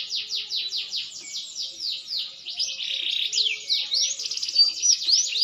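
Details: Maturing green canary in full song, a rapid series of repeated falling whistled notes at several per second, moving into tight trills and crossing slurred phrases, loud and continuous.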